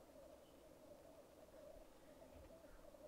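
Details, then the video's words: At a black grouse lek, recorded with a Rode Videomic Go, a soft, even bubbling hum of rookooing runs through the whole short stretch, with a couple of thin high notes above it. "Black Grouse lek"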